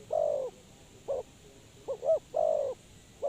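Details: Spotted dove used as a lure for trapping, giving a long coo, a short note, then a quick double note and another long drawn coo, low and hollow with quiet background.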